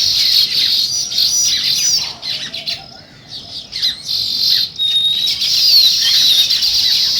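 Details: Busy morning chirping of sparrows: loud overlapping twitters from many birds, easing off briefly midway with scattered chirps before the full chattering chorus returns.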